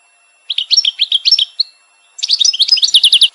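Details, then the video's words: Goldfinch of Kabylie: a short phrase of liquid twittering notes, a brief pause, then a quicker, brighter burst of tinkling chirps. "La beleco de la kardela kanto de Kabilujo!"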